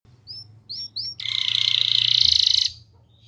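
A canary gives three quick whistled upslurs, then a long, fast buzzing trill held at high pitch for about a second and a half.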